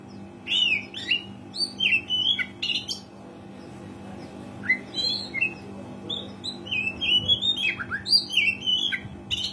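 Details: Oriental magpie-robin in full gacor song, played to coax quiet birds into singing: clear whistled notes and quick slurred phrases, sweeping up and down, in separate bursts with gaps, a faint electrical hum beneath.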